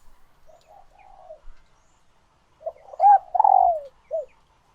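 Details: Laying female spotted dove calling to spur males into courtship cooing: soft low murmuring notes, then a loud phrase of quick notes, a long falling coo and one short final coo.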